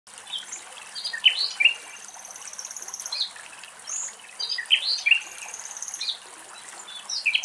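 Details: Common nightingales singing in the Axios Delta National Park, Thessaloniki, Greece: varied bursts of clear, high chirps and sweeping notes, with similar phrases returning every few seconds over a steady hiss of water or insects.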